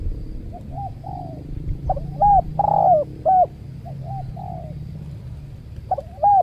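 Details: A captive spotted dove decoy gives soft, hollow cooing phrases, short notes then a rising, stressed coo, over a steady low rumble. It is at a new trapping site beside a durian orchard, where a wild dove attacked the decoy and fled.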